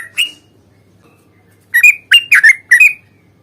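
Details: Sooty-headed bulbul fighting song used as a lure to make birds answer: one whistled note, a silence of about one and a half seconds, then four loud slurred chirps in quick succession.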